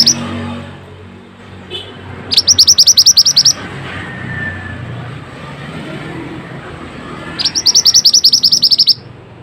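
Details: Pied Fantail, Indonesian training recording: two bursts of rapid, evenly spaced high chattering notes, about a dozen each and lasting over a second, separated by a pause, over a low rumble of traffic.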